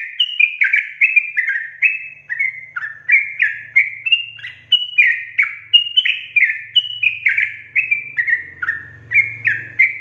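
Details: Chatty sooty-headed bulbul delivering an extended rapid song, its string of quick, liquid whistled notes alternating up and down in pitch for the full stretch, with a faint low rumble near the end.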